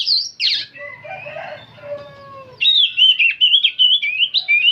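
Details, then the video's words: Old oriental magpie-robin singing without pause; after a few harsh notes and a quiet lower murmur, a bright run of quick, high whistled phrases fills the last two seconds. "Kacer tua jiwa muda nyerecet bunyi tanpa henti"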